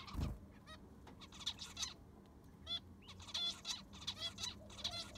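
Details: Zebra finches in an aviary with freshly replaced sand, a thump at the start, then clear, buzzy, trumpet-like honks and short rising beeps from several birds, spaced irregularly over steady low noise.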